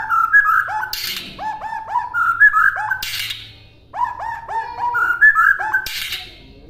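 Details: White-rumped shama song used as a master recording for other birds to copy: short whistled phrases of rising and falling notes, with sharp clicking bursts between them, the same sequence heard twice.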